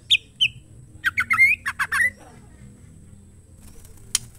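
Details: Female white-rumped shama gives two short high whistles, then a quick burst of harsh, buzzy chattering notes over about a second, ending with a sharp tick.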